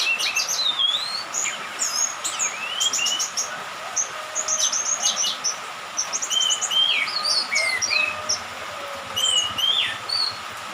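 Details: Young orange-headed thrush that has just lost its spotted plumage, heard in dew and rain, pouring out a lively mix of sharp high chirps, upslurred whistles and short trills, densely packed, with a constant low hum behind.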